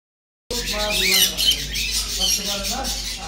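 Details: A pet cockatiel in Azizya, Riyadh, Saudi Arabia gives harsh, grating squawks with brief rising whistled notes, repeated rapidly.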